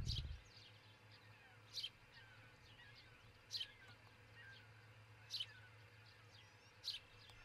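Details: Osprey pair at their nest in Charlo, Montana, recorded by a nest camera early on 22 June 2018, around 4:50 a.m.; sharp, high, downslurred chirps repeat about every 1.7 seconds over a steady low hum, with faint other birds behind.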